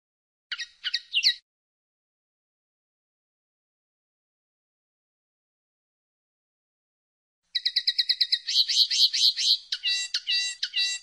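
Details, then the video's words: Singing common linnet, 2016: a brief twitter, a long pause, then a fast rattling trill of rapid repeated notes that shifts into a second, more ringing trill. "El Canto del Pardillo"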